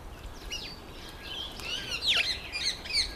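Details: Female mountain chat, also called Bergwagter or Khaloti, giving thin high whistled notes and slurred chirps that build into a louder downward-swooping note, followed by short twittering, over steady background hiss.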